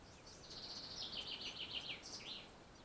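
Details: Fieldfare at the nest near a river in June 2015, giving a continuous rough, buzzy chattering that wavers up and down for about two seconds, then a short harsh burst, over low hiss.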